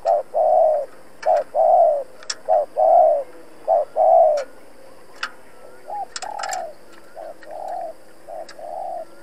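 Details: Trapping decoy spotted dove cooing intensely to call in and challenge wild males: repeated low, mellow coo phrases of short and drawn-out notes, loud at first then softer, with occasional metallic clicks.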